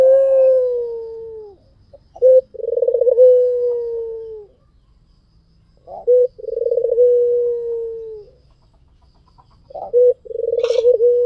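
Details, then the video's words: White dove song for luring other doves: three phrases, each a sharp note, a pulsed rolling trill and a long, gently falling coo, separated by quiet gaps, with a brief high chirp near the end. "SUARA PUTER PUTIH FULL GACOR || PANCINGAN AMPUH || SUARA BURUNG PUTER GACOR"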